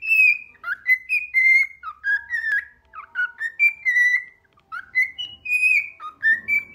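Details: A bird perched on a person's finger sings a steady run of clear whistled notes, some slurred up or down, with brief chattery bits between phrases and almost no pauses.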